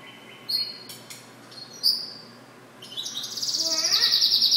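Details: Goldfinch mule song: a few scattered high chips and short notes, then a sustained rapid trill of dense high pulses building in loudness toward the end.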